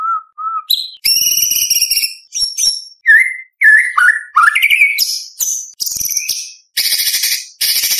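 White-rumped shama in full song: soft low whistles, then a rapid run of loud, varied phrases with clear rising whistles, harsh rattles and bursts of high buzzy notes.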